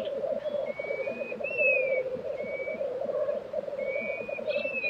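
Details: Continuous deep bubbling of black grouse at an April 2023 lek in Tiveden, Sweden, with a few long, thin high whistles from another bird drifting above.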